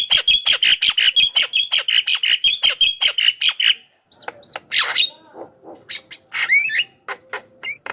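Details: Javan myna song played as a lure for wild mynas and to prompt caged birds to answer: long fast train of sharp repeated notes for nearly four seconds, then varied whistles, squeaks and harsh chatter.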